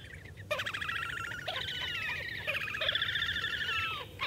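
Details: Slavonian grebe giving rapid, nasal, harmonic trills that rise and fall, with a longer squealing trill that slides down near the end; quiet background.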